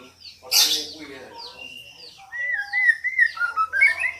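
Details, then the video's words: White-rumped shama female calling to excite a male to sing; a harsh burst, then clear sustained whistles and a fast run of warbled rising notes. "Suara murai betina memancing murai jantan gacor"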